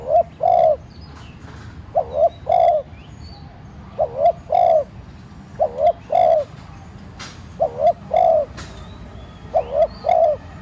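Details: Decoy spotted dove cooing to provoke other doves to call; six evenly spaced two-note coo phrases, each a short wavering note then a longer level coo, with occasional clicks and background chirping.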